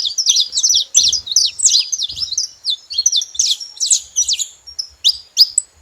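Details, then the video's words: Saffron finches calling together, a busy stream of sharp high chirps and slurred notes delivered in quick irregular bursts, about three notes a second, with faint low thumps in the background. "Canário da terra junto fazendo barulho"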